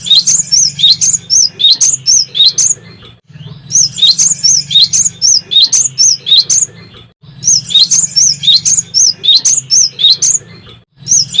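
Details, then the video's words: Great tit in full, energetic song for prompting other caged songbirds to sing. Rapid high chirps arrive in bursts of several seconds separated by brief silences, the pattern repeating three times over a constant low background hum. "Burung Gelatik Batu Gacor Istimewa Untuk Pancingan"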